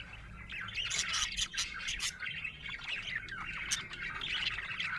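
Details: Budgerigar in a happy mood, chirping steadily: a rolling stream of warbling chatter with a burst of harsh, scratchy squawk-like notes near the start.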